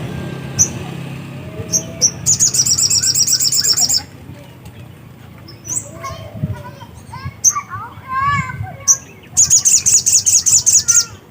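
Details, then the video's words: Black-capped white-eye singing vigorously, very high rapid twittering trills of evenly repeated notes lasting about two seconds each, separated by single sharp chips, with other warbling birds and low rumble behind. "burung sogok ontong GACOR..!!!"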